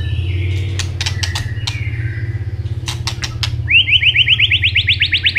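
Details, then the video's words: Asian robin in song: sharp clicks and a faint whistled note, then a rapid run of rising whistled upsweeps repeated about three times per second, with a constant low mechanical hum. "Robin singing"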